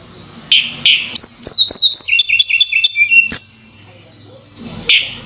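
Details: Tledekan (Javan sunbird) sings a fast cascade of high, tinkling notes that steps down in pitch, framed by short clicks and quieter faint background sound.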